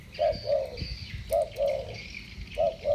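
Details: Two spotted doves with the 'thổ bầu' voice style call against each other. Low, hollow coos come in pairs, about three paired phrases in three seconds, separated by short pauses, over faint background hiss.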